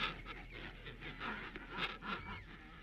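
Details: King penguin colony recorded 21 December 1961: many grunts, mostly penguins protesting about their neighbours, overlapping with characteristic brief buzzy, wavering trumpeting display calls, over a constant background of tweeting chicks.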